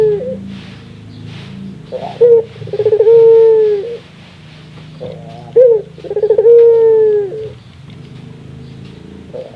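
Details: Ringneck dove giving its laughing call twice, each a clipped note, quick stuttering pulses and a long level hoot, over a steady low humming background.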